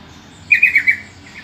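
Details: Lure call of a yellow-vented bulbul, used to draw replies from other bulbuls: four quick, bubbly, slightly descending notes in a rapid chattering phrase, then a faint softer echo over a quiet low background hum.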